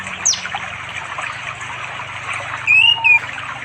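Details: Orange-headed thrush by a forest river far from settlements in East Java, calling a female on an afternoon. One short sliding whistle then a single clear whistled phrase over steady rushing water, captured on an Android phone.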